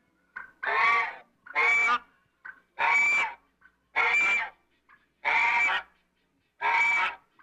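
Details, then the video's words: African goose calling in a steady series of six loud, drawn-out harsh honks, each roughly half a second long and spaced a little over a second apart, with faint short notes between them. "African Goose Calls: The Unique Sounds of this Majestic Bird"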